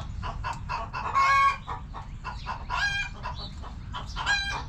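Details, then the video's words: Hens in a backyard coop cluck rapidly, short notes tumbling over one another, with a louder, drawn-out squawk near the start. "Back Yard Chickens Continuous Footage! Rooster Crowing! Hens Clucking!"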